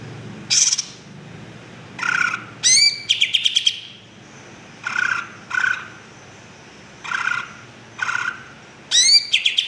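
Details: Greater green leafbird song: loud bursts of varied notes, rapid stuttering trills, rising whistles and buzzy phrases separated by short pauses, over a steady background hiss.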